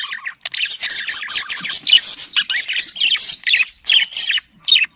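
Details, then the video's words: Budgerigars, small Australian parrots kept as pets, warbling to encourage breeding; continuous rapid scratchy chatter with sharp chirps, ending in a brief pause and a final squawk. "muhabbet kuşu kızıştırma sesi muhabbet kuşu sesi muhabbet kuşu çiftleştirme sesi صوت تزاوج طيور الحب"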